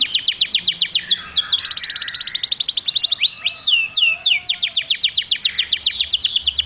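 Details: Canary song of steady rapid chirps, a brief run of curved, sliding whistles in the middle, then back to fast repeated trilled notes.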